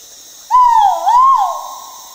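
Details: Wild male great argus in Borneo rainforest at Danum Valley, Sabah, Malaysia, giving one loud clear whistled note, wavering down and up twice, then held steady and slowly trailing off.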